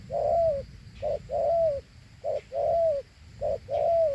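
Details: A large Thổ Hú spotted dove gives its prized two-note coo: a short low note, then a longer one that bends smoothly downward, repeated about every 1.2 seconds with steady rhythm over a quiet background.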